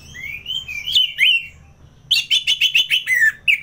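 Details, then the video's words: Orange-headed thrush in ngeplong style from North Bali, Singaraja, kept for bird contests: a slurred whistled phrase with rising and falling notes, then a fast burst of about ten sharp, chattering repeated notes over a low background hum. "ANIS MERAH Ngeplong"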